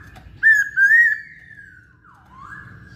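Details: Poksay Hongkong (masked laughingthrush) singing actively: two loud wavering whistles running into a long level tone, then a softer dipping and rising whistle.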